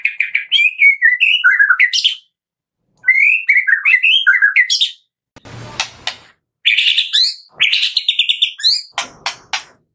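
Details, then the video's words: White-rumped shama pouring out a loud 'kretekan' song used as a lure for other shamas: rich varied whistled warbles rising and falling, harsh crackling bursts, and fast rattling trills between short pauses. "PANCINGAN JAHAT KRETEKAN MURAI BATU GACOR 100% AMPUH buat Pancingan murai batu pastol agar bunyi"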